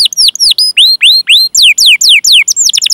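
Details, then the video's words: Canary song for training young birds to sing: clear whistled notes sweeping down then up, repeated about three times a second, turning into quick descending chirps and a fast twitter at the end. "Masteran Suara Burung Kenari Gacor Panjang cuit cuit Ngerol untuk Pancingan Kenari!"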